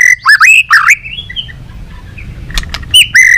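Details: White-rumped shama, a caged bird trained for competitive singing with tail flicking; loud whistled phrases with sliding notes near the start, a quiet gap with faint background notes, then another strong whistled phrase at the end.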